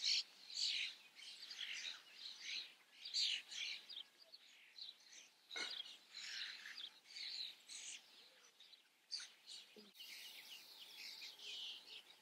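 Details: Common starlings observed in front of a camera give a dense, varied chatter of rasping notes, squeaks and brief whistles in overlapping bursts, with a faint low click near the middle and a sharper noise toward the end.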